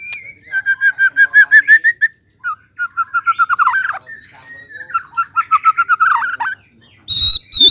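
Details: White-rumped shama in full song, used to prompt other shamas to sing: long series of rapid, evenly repeated whistled notes in several bursts, each slurring and wavering, with a harsh rising note at the end.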